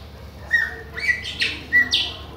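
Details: Chopi blackbird of the Bahian type singing at others, giving a brief string of four notes: flat whistles and a hoarse, rising burst, against a faint low hum.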